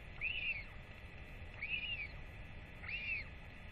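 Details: Northern royal albatross chick visited by feeding parents, 8.10.24: three clear arched whistled calls, each about half a second long and roughly 1.3 seconds apart, over a soft breezy background.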